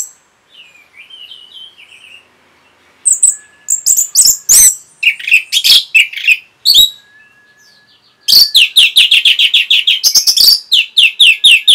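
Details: Orange-headed thrush masteran, a song meant for training caged birds. A soft, wavering whistle leads into loud, varied, high scratchy notes, ending in a fast, steady series of bright repeated chips.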